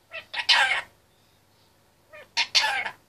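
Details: A 25-month-old caged male Indian ringneck parakeet gives two rasping, speech-like bursts, each built from a few quick syllables, about two seconds apart over quiet room hiss.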